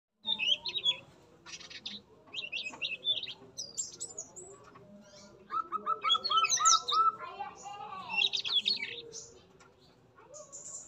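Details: Male yellow-rumped flycatcher in a breeding aviary, in full song, opening its bill and working its tail: lively, varied high chirps, sweet trills and a quick run of repeated notes, with short pauses between phrases.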